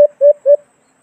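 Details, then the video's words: White-eared brown dove (alimokon) from the Philippines, calling on a recording used to lure birds into hunting traps. Three short, mellow, low hoots in quick succession, each fading briefly. Otherwise silent. "Magandang huni ng alimokon"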